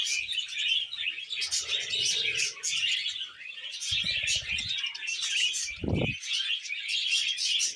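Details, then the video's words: Several happy budgerigars eating vegetables chatter nonstop in a dense, high, scratchy warble, with two low thumping bumps around the middle of the recording. "Happy Budgies Eating Veg"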